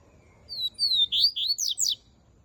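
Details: Double-collared seedeater (coleiro) singing a melodic song: a rapid run of high, sweeping whistled notes that climb and slur into rising and falling chirps, delivered in one brisk phrase over quiet background.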